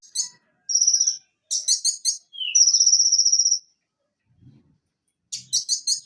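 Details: Van Hasselt's sunbird (Leptocoma sperata), known for varied song and mimicry, gives a very high, thin twittering song: quick buzzy trills and rapid chip series, with one short falling whistle, in bursts between brief pauses.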